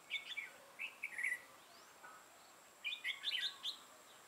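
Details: Decoy red-whiskered bulbul used for trapping, lion-style crest and dark bib, recorded 6 November 2018; short chirped and whistled phrases, a pause of about a second, then a livelier run of bright warbling notes.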